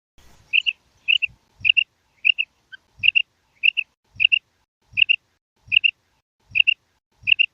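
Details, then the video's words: Raising call of a female common quail, a steady run of about twelve sharp paired chirps, each pair a fast high 'quip-ip', repeated roughly every 0.6 seconds, with soft low thumps beneath many of the pairs. "مادہ بٹیر کی کرک | मादा बटेर की आवाज़ | Mada Batair ki kirak | Female Common Quail Raising Call"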